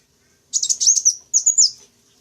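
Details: Sunbird bait call for luring wild birds: two brief bursts of very high, rapid twittering and slurred whistles, each under half a second, against near silence.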